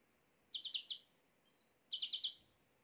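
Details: Canary song used to bring a female canary into mating posture: two quick bursts of four sharp, rapidly repeated chirps, separated by a faint thin whistle, against a low steady hiss.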